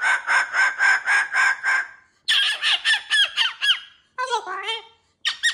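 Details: Caged pet cockatoo with new jingly toys: seven loud, rhythmic, nasal squawking syllables, then quicker speech-like babble and a few rough falling calls, indoors.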